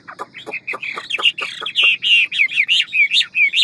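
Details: Hwamei 'ngũ trường' singing a quick, varied forest-style song: a burst of rapid dry clicking leads into loud, rich, slurred whistles repeated about three per second.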